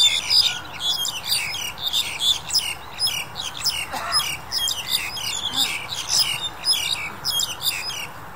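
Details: Black-collared Starling, January 2021 during the pandemic, chattering steadily with quick, buzzy chirps and squeals repeated in tight groups, plus a faint lower call in the background.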